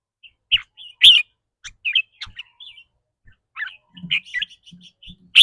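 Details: Red-whiskered bulbul performing its rapid 'rik rua' trilling style, said to vary with the bird's mood that day: bright whistled and chirpy notes in short bursts, a loud note near one second, plus soft low knocks.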